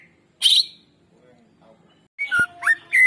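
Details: Greater green leafbird song used to draw song from silent birds: a harsh burst, a quiet gap, then a string of clear slurred whistles and a sharp click.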